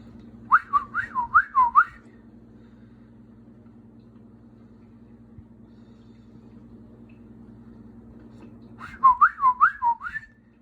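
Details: Pet bird whistling while perched on a door indoors gives two bursts of warbling whistles, each four or five quick rising-and-falling notes, about seven seconds apart, over a steady low indoor hum.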